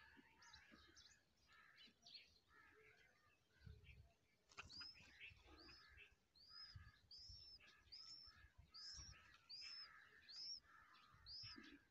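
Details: A female bulbul feeding her chicks with worms calls amid a busy chorus of chirps, then gives a run of thin, high, arched notes repeated about every second while other birds twitter throughout.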